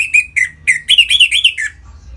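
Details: Orange-headed thrush, a captive bird, singing in the gacor ngeplong style used to stimulate other caged birds into breeding condition: a rapid series of loud whistled phrases, rising and falling, about eight notes in under two seconds, in a quiet room.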